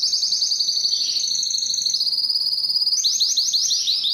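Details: Spanish timbrado canary song made of fast, rhythmic rolling trills at a high pitch, with a slight drop in the middle, then a new burst of sharper repeated notes toward the end.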